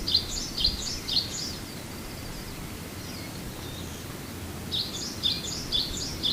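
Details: Japanese white-eyes calling in February on Amami: a quick burst of about four thin, high chirps, a quiet gap of several seconds, then another burst of similar sharp chirps.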